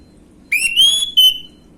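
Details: Orange-headed thrush in the gamblingan song style, used as a lure for young birds: a single bright whistled phrase that sweeps upward, holds, then ends with a short separate whistle. Quiet hiss behind.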